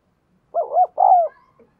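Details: Lure cooing of a spotted dove meant to excite males: a brief, loud two-part phrase, a quick double-hump coo then a longer, slightly descending hollow coo, with a faint trailing note and no background noise.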